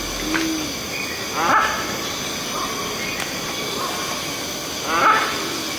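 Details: Indian grey hornbill spotted in Delhi, giving two loud, harsh, squealing calls about three and a half seconds apart, with fainter notes between them over a steady background hiss.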